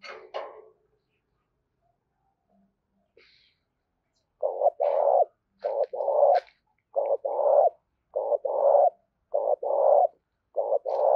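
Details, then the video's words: Insistent spotted dove calling used to urge wild doves closer: short paired burry coos repeated steadily, about one phrase each second, after a few faint scattered notes at the start. "Tiếng chim cu gáy gọi và thúc bổi mới nhất hôm nay/ mở lên bổi nghe nhanh về cội"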